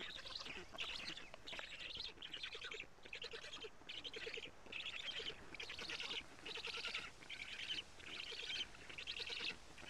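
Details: Recorded by a live camera at a black stork nest in Karula, Estonia, in mid-June 2017 around 17:55 as big fish are delivered: rhythmic series of scratchy, wheezing bursts, roughly one per second, steady throughout against background noise.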